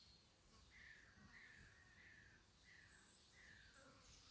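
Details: Common kestrel chicks, 27 days old, one of three young in a nest in a barn wall, giving drawn-out, slightly falling whining calls in a loose series of about five, spaced roughly every half second, over steady background hiss.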